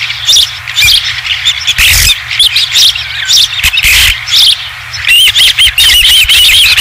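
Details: Ospreys at the nest on a ranch, 20 July 2016, as the first fish arrives; rapid, thin chirps pour out in clusters, then a run of wavering whistled notes, over a low background hum.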